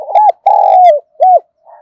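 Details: Spotted dove kept as a lure in Vietnam, singing in the thổ style to make wild birds respond: loud mellow coos, a sustained middle note falling away and a brief arched final note, with small clicking sounds above.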